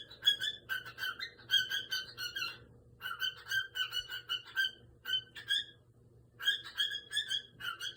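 A cockatiel chatters in bursts of bright, warbling chirps and short whistled notes, with brief pauses between runs.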